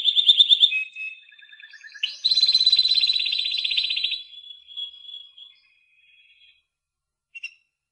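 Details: Timbrado canary song: a fast bubbling roll, then a loud sustained trill that fades into softer notes and a pause, ending with one short high note.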